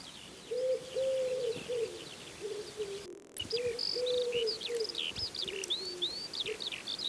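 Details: Common wood pigeon, a forest species increasingly found in towns, giving low, soft, hooting coos in phrases of several notes, while small songbirds chirp and twitter higher above.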